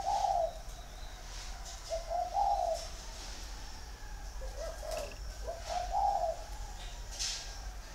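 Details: Caged male spotted dove, six years in a cage, in Ba Vì, Vietnam, with a 'giọng thổ' song: four low cooing phrases at uneven intervals, with scattered clicks and faint noise.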